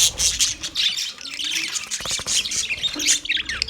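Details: Male budgies chirp busily, a constant jumble of bright, high, scratchy notes and twittering with few gaps.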